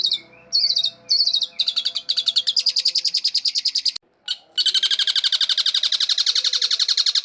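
A long-tailed shrike sings a high, fast, rattling stream of buzzy notes, with a few whistled phrases at the start and a brief break midway.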